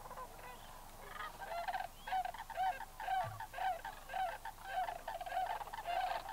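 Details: Lesser sandhill cranes at Bosque del Apache in 2009. Rolling, bugling trumpet calls repeat about twice per second in a steady chorus, with a faint background of other cranes.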